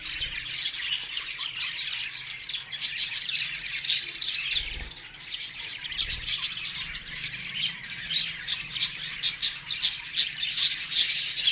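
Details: A baby budgerigar being massaged gives a steady stream of scratchy, squawking chirps and warbles.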